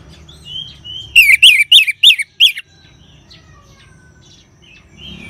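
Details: Orange-headed thrush, ngeban-style lure song for caged birds: soft thin whistles, then six loud, rasping downslurred notes in quick succession, followed by quiet with faint distant whistles.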